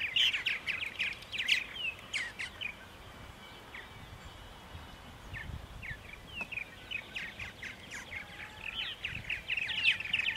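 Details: Purple martins near Center Moriches on Long Island, New York, 14 April 2012, around 8:30 AM in spring: scattered short chirps and gurgles, louder bursts at the start and end, over soft background noise.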